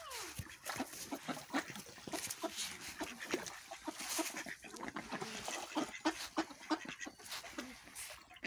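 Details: Ducks feeding and fighting, giving a dense chorus of short harsh quacks and squabbling calls, many overlapping at irregular intervals, with splashing and pecking noises between.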